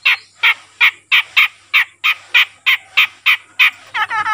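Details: Untrained grey-cheeked bulbul starting to call often. Evenly spaced, harsh, buzzy notes repeat roughly every third of a second, about a dozen in all, ending in a quicker twittering run.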